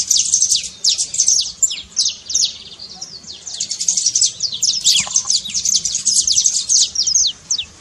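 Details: Long trincado from a saffron finch (canário-da-terra), used to spark a silent canary into song: a sustained run of sharp, high, descending chirps, with a faint lower note midway.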